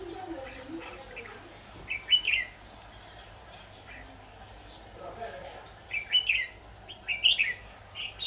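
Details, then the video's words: Red-whiskered bulbul decoy in a trapping session, 23 October 2019: loud, lively whistled phrases in separated bursts, with quiet human talk in the background. "Bẫy chào mào"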